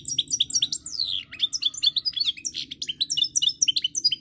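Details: A European goldfinch sings, recorded 10 November 2019: a continuous jingling warble of fast chirps and downward-sweeping notes, with a steady low background hum.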